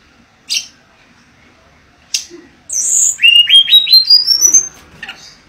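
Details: Mangrove blue flycatcher singing: two isolated sharp high notes, then a quick series of clear whistles climbing step by step in pitch, ending with a soft trailing note.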